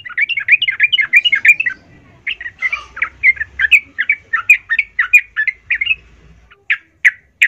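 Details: Yellow-vented bulbul singing loudly, used as a lure to provoke other bulbuls: rapid, bubbly chirped phrases that rise and fall, with a short pause and then separate sharp notes.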